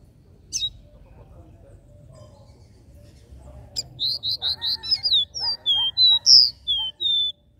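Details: Capped seedeater singing a regional three-note "dó ré mi" song. After a lone high note comes a fast run of five or six short, even whistles, then several longer slurred whistles, some rising and some falling, over a quiet background.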